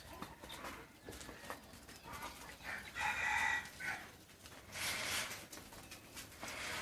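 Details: Red junglefowl kept by an owner in Thailand giving a short harmonic crow of about one second that wavers near its middle, followed by a brief rough burst, over a faint noisy background with scattered soft clicks.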